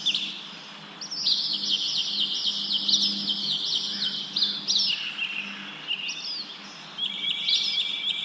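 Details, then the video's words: Wind stirring leaves beneath busy bird chirping. Rapid runs of sharp, high notes repeat about four times a second in a jumbled stream, with brief lulls and fresh bursts of twittering over faint background rustle. "Wind blows leaves, leaves bird chirping sound"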